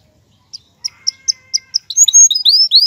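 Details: Male canary singing to prepare a female for mating and stimulate nest building; a run of short sharp chips every quarter second, then bright rising and falling whistled notes at high pitch.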